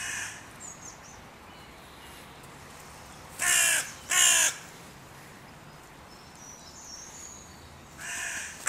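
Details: In König-Albert-Park, crows where three breeding pairs' territories converge at the music pavilion; two loud, grating caws in quick succession, then a third several seconds later, with faint thin chirps in between.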